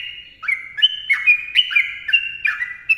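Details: Sooty-headed bulbul in dense 'ropel' song: a steady stream of chattering, liquid whistles that slur down and jump back up, packed closely together, with no pauses.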